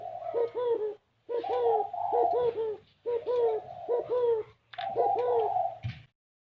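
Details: A spotted dove in the rare 'gáy gù kích bổi' cooing style: four dense bouts of deep, arching coo notes, each about a second long, separated by short gaps, with a low steady hum beneath.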